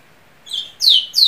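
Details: Ultramarine grosbeak phrase opening: a soft level whistle, then two loud high notes each sweeping sharply downward, in a quiet background.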